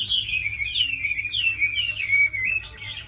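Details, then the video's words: Brief burst of song from a tame Chinese hwamei known as a good fighter and singer: clear looping whistles that slide down and up in smooth connected phrases. "Mi thuần đấu tốt hót hay"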